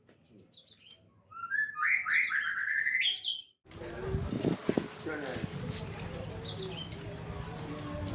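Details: Actively singing wild cinereous tit gives a quick run of sliding, chirpy whistled notes for about two seconds. Then a loud rustling, crackling noise takes over, with faint high chirps now and then.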